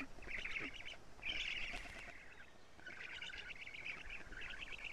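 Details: Estonian black stork nest filmed by live camera on a June 2017 morning, young being fed lampreys by the female. Short bursts of harsh rattling chatter, louder at first, then a longer continuous run in the second half.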